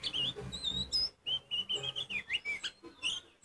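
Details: Oriental magpie-robin of the kacer poci type, singing loudly to rouse other magpie-robins. Clear whistled phrases in a steady run, alternating level and slurred notes with short gaps between them.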